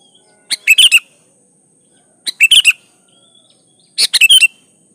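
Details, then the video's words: Steadily singing Sooty-headed bulbul, used to draw other bulbuls into song: three short bubbly phrases about every one and a half to two seconds, each opening with a click and running into warbled whistles. "Suara Burung Kutilang gacor Ampuh buat pancingan kutilang agar bunyi"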